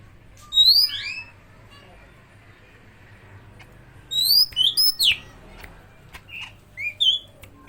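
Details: Medan-type greater green leafbird copying oriental magpie-robin song: an opening burst of high whistled slurs, a quiet gap, then a run of sharp rising and falling whistles and a few short chirps near the end.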